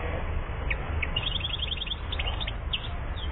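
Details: Year-old European goldfinch recorded in Algeria, 2014: a brief burst of sharp chirps turning into a fast twittering trill, with low background hum.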